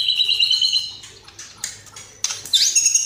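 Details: White-rumped shama singing steadily as a training recording, its song filled with sparrow, fighting lovebird and kapas tembak phrases. Sharp high whistled notes are held, then buzzy bursts follow after a short quiet gap.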